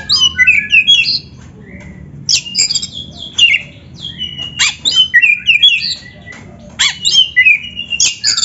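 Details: Oriental magpie-robin, a vigorously singing bird used as a training song to stimulate captive birds, giving varied whistled and scratchy high phrases in bursts separated by short pauses over a faint low hum.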